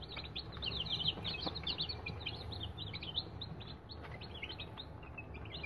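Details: Newly hatched Aseel chicks inside an incubator, a crowd of them peeping together: high, short, slightly rising cheeps that overlap in a rapid, busy chorus without pause, over a steady low mechanical hum.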